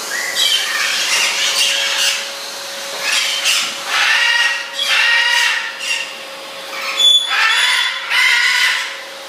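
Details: Female Goffin's cockatoo from Asia, excited by a running vacuum cleaner, fluffing, flapping and hanging like a bat; harsh, harmonic screeching calls in repeated bursts about a second apart over a steady mechanical hum.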